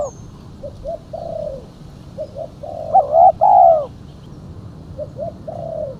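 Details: Spotted dove female calling to lure others: soft two-note coo with a drawn-out falling ending, a loud resonant pair of coos in the middle, then the soft phrase again.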